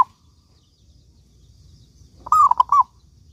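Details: Local zebra dove song used as a lure to get other doves singing: after near silence, a single short cooing phrase near the end, a rising whistle-like coo followed by two quick lower notes, sounding loud and slightly harsh.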